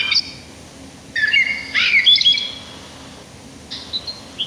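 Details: Sparrow singing outdoors in nature, giving short bursts of varied chirps and twittering notes, some sliding up and down, separated by brief silences, ending with a few high thin chips.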